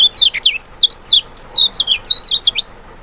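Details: Kecial, the Lemon-bellied white-eye of Lombok or Sumbawa, singing a provoking song: a fast, continuous chain of bright, high, wavering whistles and twitters, ending abruptly after under three seconds.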